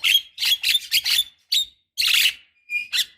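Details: Javan myna, female calling a male, used as a lure: dense series of loud, raspy, squealing bursts in quick succession, with a brief thin whistle near the end.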